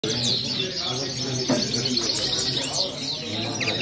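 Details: Goldfinch singing a fast run of high, thin twittering chirps and short rising trills, busy and continuous, with a steady low hum and faint voices underneath.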